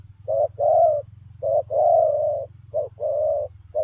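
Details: Lèo rồng style cooing from a spotted dove as it runs: repeated pairs of a brief note and a longer, husky, level coo, roughly one pair per second, above a soft steady low hum.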